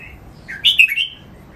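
A red-whiskered bulbul gives one bright, liquid warbled phrase lasting about half a second, rising then dipping, against a quiet indoor background.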